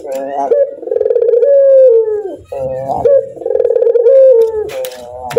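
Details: Laughing call of a pet Barbary dove: throaty, harmonic coos that waver, then glide down, split by a short bubbling laugh in the middle.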